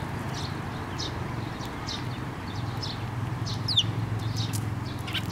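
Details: Sparrows coming to a person's hand for food at a Tenmangu shrine, 9 May 2024. Scattered high chirps, a few overlapping callers, with a louder note near the end, over a low droning background.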